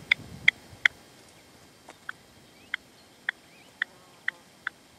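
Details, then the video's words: Partridge at a decoy (reclamo) at sunset in the sierra, Manzanares, 27 February 2014, the male refusing to enter; thin, clear single chip notes spaced about half a second apart over a quiet background. "PERDIZ Y RECLAMO"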